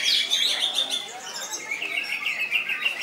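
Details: Loud, nonstop 'koncer' song of a greater green leafbird (cucak ijo): bright high whistles at the start, easing into a steady, rapid chatter of warbling notes that keeps going with no gaps.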